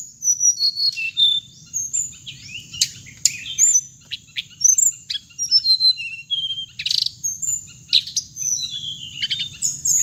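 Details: Hồng hạnh bird sounds meant for loudspeaker playback when trapping birds: repeated thin, very high chirps and brief twitters in quick bursts across ten seconds, with a constant shrill tone behind them.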